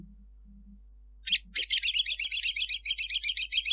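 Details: Ruby-cheeked sunbird, a female calling for a male: one brief high note, then an unbroken, very rapid and shrill chattering trill of repeated notes continuing for over two seconds, the long 'ngekek' style.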